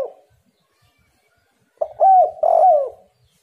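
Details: Spotted dove cooing used as a lure so other doves respond: one low, husky two-part coo phrase after a pause, with a short faint tail of an earlier note at the start.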